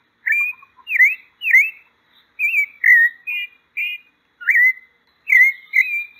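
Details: Pale-breasted thrush (sabiá-poca) song of varied whistled phrases: sharp V-shaped slurs, level notes and short warbles, delivered in loose groups with brief pauses and no background noise.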